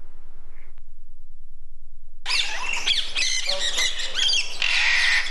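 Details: A baby macaw gives harsh, raspy squawks and grating chatter after two seconds of near-silence, the calls running together in a continuous rough stream.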